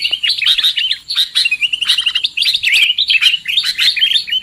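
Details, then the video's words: Sooty-headed bulbul lure call for trapping: rapid, chattering stream of bright, slurred chirps and short whistles, packed tightly with barely a break. "Suara PIKAT Burung KUTILANG"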